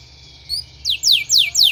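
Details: Canary song played as therapy for training canaries: after a faint high note come four loud, clear downslurred whistles, evenly spaced about a quarter second apart.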